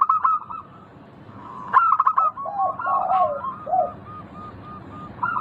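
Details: A local zebra dove gives rolling, clipped song bursts, overlapped by lower, drawn-out cooing notes from a second dove, with soft repeated coos at the end.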